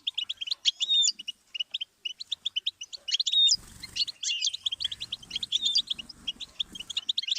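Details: Goldfinch song tape for songbird learning: rapid high chips and whistled slurs for three and a half seconds, then a denser buzzy twitter continues over a faint low background hum.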